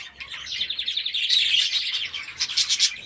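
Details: Young budgerigars in a freshly built aviary at the start of the season: a steady, scratchy warbling stream of rapid chirps, ending in a few brighter, sharper notes.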